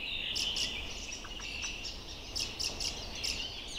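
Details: Fieldfare fledgling giving short, high, sharp call notes in small clusters, some doubled, over a constant hissing background noise.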